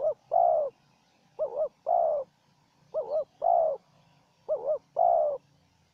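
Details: A decoy spotted dove and a wild one trade calls during a trapping outing. Four evenly spaced phrases follow one after another. Each phrase is a short wobbling two-part note, then a fuller drawn-out coo. A faint low hum sits underneath.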